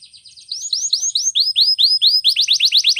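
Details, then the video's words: Canary training song passage: soft buzzy notes open into clear, high, upward-curving whistles repeated about twice a second, then speeding up toward the end. "Canary's Most powerfull Song For Training"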